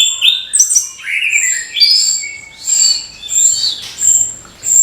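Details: Morning song of an orange-headed thrush, used to get young birds singing: quick, tumbling whistled notes and sliding warbles in a changing sequence, with short, sharp, high-pitched whistles recurring behind them.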